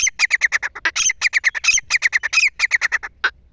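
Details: Grey francolin giving the call known locally as the hunting call: a fast run of harsh, squawky chattering notes, roughly eight to ten per second, broken by short pauses, with little background noise.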